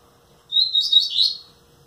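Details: A 9-month-old (nearly 10) double-collared seedeater gives a brief, high, twittering phrase of quick warbled notes lasting about a second, over a faint steady indoor hum.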